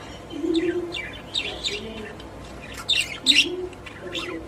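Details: Pet budgerigars in a cage chattering: a jumble of quick high chirps and warbling squeaks, with a few louder sharp notes near the end.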